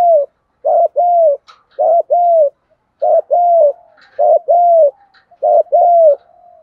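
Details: Spotted dove coos from a luring and decoy-training recording of male and female birds. Six evenly spaced pairs of mellow coos, a short note then a longer falling one, with faint sharp chirps in between.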